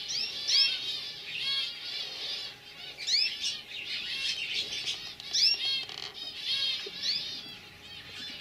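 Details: Young canaries from 2015 singing together: dense warbling phrases of rolled, rapidly repeated high notes with bright upward-sweeping whistles, pausing briefly between bursts.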